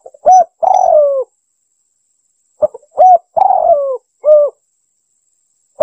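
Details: Spotted dove lure call used to attract wild birds: a short clear coo, a long rough burred coo sliding downward, then a clipped final coo, the phrase repeated twice in a quiet setting.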